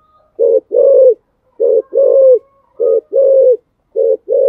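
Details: Coaxing call of a spotted dove, Thổ Sấm voice, aimed at getting a rival to coo: four deep paired coos, a brief note followed by a drawn-out one, spaced about every 1.2 seconds.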